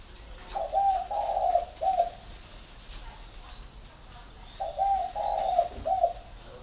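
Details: Flock-kept spotted dove at a bird garden near Hanoi, Vietnam, repeating its gentle three-note coo twice, roughly four seconds between phrases, with faint clicks and hiss in the background.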